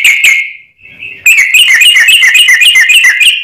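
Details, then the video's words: Sooty-headed bulbul (trucuk) singing as a lure bird, a brisk stream of loud, clear whistled notes rising and falling, delivered rapidly at several per second after a short opening phrase and a brief pause. "trucuk cocot tonggo || trucuk gacor || trucuk pikatan"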